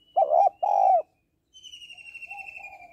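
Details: Female spotted dove calling to stimulate males: two loud, low, hollow coos in quick succession, a pause, then a softer drawn-out coo, with a thin high whistle sliding slowly downward across the later part.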